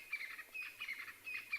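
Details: Crested francolins in South Africa's bush at dawn on 28 June 2020 call during a morning safari amid the dawn chorus. They give a harsh, scratchy chattering in quick bursts about every half second over a faint low rumble, announcing they survived the night and are holding their patch.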